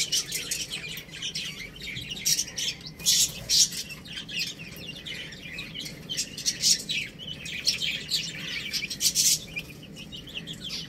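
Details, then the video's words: Many baby chicks cheeping as they play and feed: steady high, thin peeps with louder bursts every few seconds, no other clear sounds. "Adorable Little Chicks Chirping Sounds"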